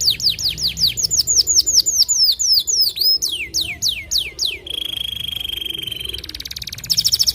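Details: White canary, kept songbird, singing a long-burst song used as a master recording for training songbirds: fast series of descending whistled sweeps, then a long, even buzzy trill and a final rapid rattling trill.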